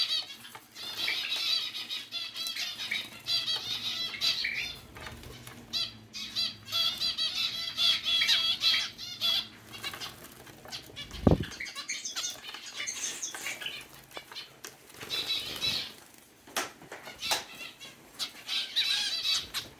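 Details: Grey zebra finches, one getting wet sliding under a flower, give bursts of bright, nasal chattering calls, with fluttering wing sounds between them.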